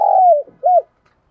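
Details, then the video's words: Spotted dove decoy luring wild doves: a long, steady coo sinks at its end, followed by a single short arched coo. "Chim Cu Mồi thúc đấu và gáy gọi bổi"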